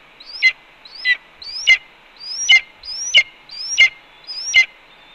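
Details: Red-tailed hawk calling at its nest while its mate eats a pigeon after bringing two voles, 4 May 2013, 1:29 PM, nest camera at Cornell: a series of high, slurred, rising squealy notes repeated about every two-thirds of a second, seven in all.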